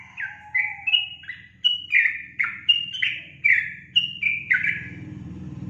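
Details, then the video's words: Lively gacor song of a sooty-headed bulbul (trucukan): a long string of about a dozen loud, liquid whistled notes alternating up and down in pitch, over a steady low mechanical hum. "SUARA BURUNG TRUCUKAN GACOR"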